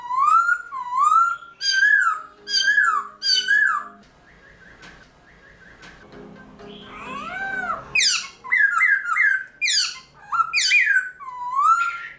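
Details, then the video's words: Captive black-throated laughingthrush singing its forest-voice song in the early morning: loud, ringing, swooping whistles in bursts. A quieter, murky stretch in the middle is followed by fast, rich, rising and falling phrases. "Luyện Khướu Bạc Má Hót Sáng Sớm Kích Chim Khướu Căng Lửa Hót Giọng Rừng"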